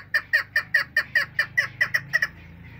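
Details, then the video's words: A female chukar partridge, in a hunting-related call recording, gives about eleven sharp clucking notes in quick succession, roughly five per second, fading toward the end; otherwise quiet. "madi shikar awaz bast female sound dasi madi keklik sesi"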